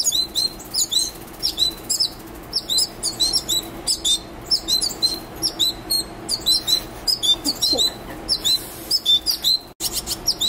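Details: Hand-reared wild baby birds at a wild bird care centre, end of summer, begging while being fed: dense, rapid high-pitched cheeping from several chicks in quick bursts, with a steady background hum.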